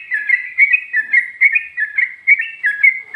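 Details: Rapid ropel-style singing from a sooty-headed bulbul, including ngikluk and garuda-type phrasing: a continuous string of warbled, rolling whistles at a steady mid pitch. Bursts pulse about three times per second, with a quiet background.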